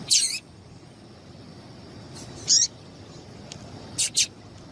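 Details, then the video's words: Female double-collared seedeater piping to stir males into song: a strong high chip, a softer one two seconds later, then a quick close pair of bright chips, with a noisy hissing background. "Piado de Fêmea de Coleiro para Esquentar Coleiro"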